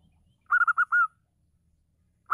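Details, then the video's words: Female local zebra dove, vigorous singer, used to provoke non-singing males into song: a quick run of four staccato mid-pitched coos ending in a longer drawn note, with the next phrase starting at the end; quiet background. "PERKUTUT LOKAL GACOR BETINA MEMANCING EMOSI YANG MACET"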